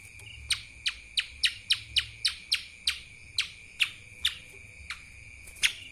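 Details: Lesser green leafbird, mini form, singing in the kapas tembak style: a quick run of sharp, high, dry chip notes, each a short downward snap, spaced unevenly about a third to half a second apart over a steady high ringing tone.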